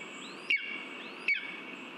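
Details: Lesser spotted eagle calling at the nest during a mouse delivery in August 2023: two abrupt, piercing yelps about three-quarters of a second apart, each with a quick downward slur, over constant background hiss.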